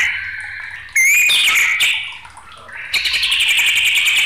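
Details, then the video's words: Agitated white-rumped shama, song meant to provoke and tutor other birds: a bright upward whistle, ringing buzzy notes, a short lull, then a fast metallic trill running steadily to the end. "SUARA MURAI BATU NG4MUKK..MUNT4H ISIAN BRO.!!"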